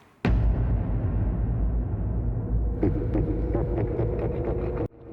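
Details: A cassowary, Australia's heaviest bird, a flightless rainforest fruit-eater, gives a deep, rumbling, dinosaur-like boom lasting over four seconds, steady and throbbing low in pitch, with a few faint clicks and tones near the end.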